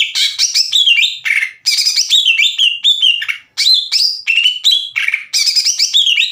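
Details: Greater green leafbird singing vigorously as a lure to raise the excitement of other leafbirds. Dense bursts of sliding, whistled and chattering phrases, broken by brief pauses, loud and close.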